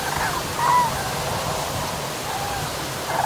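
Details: Common cranes at Rieselfelder Münster, Germany, on 9 October 2021 at 14:10, give a few brief, distant trumpeting notes of middle pitch, scattered across a few seconds over a steady hiss of wind-like noise.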